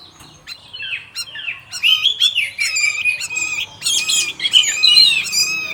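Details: Orange-headed thrush giving a quick run of clear whistled notes and trills, the phrases building and growing fuller, with sharp chips woven between them.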